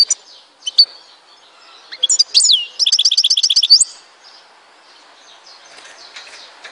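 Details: European goldfinch from Tizi Ouzou, Algeria, in song: a few sharp chips, a swooping slurred note, then a fast even series of about a dozen high clicking notes, ending in quieter soft twittering.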